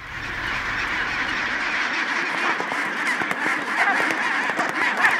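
Chinstrap penguins fill the air with a continuous chorus of harsh, braying calls, many birds overlapping in a dense colony din.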